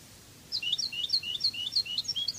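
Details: European goldfinch singing a Cádiz-style song, the Spanish goldfinch language: after half a second of quiet, a lively run of high, paired rising-and-falling twittering notes follows in quick succession against faint background hiss.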